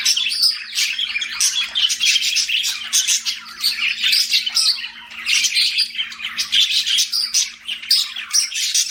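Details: Pet budgerigar chatter fills the room, a steady stream of harsh squawks, gritty chirps and quick twittering bursts with only tiny breaks, faint low hum beneath.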